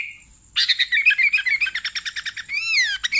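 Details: Sooty-headed bulbul for luring bulbuls: a brief whistled note, then a rapid chattering run of bright, pulsing notes about fifteen per second, ending in a slurred descending whistle and two sharp chirps.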